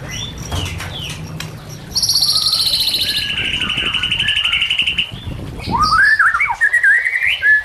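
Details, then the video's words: White-rumped shama song for training and luring shamas, over trickling water: a loud rapid buzzy trill held for several seconds, then rich warbled whistles rising and falling. "Dalam Hitungan Menit Saja Murai Batu Langsung Merespon Dan Ikut Bunyi Dengan Pancingan Ini"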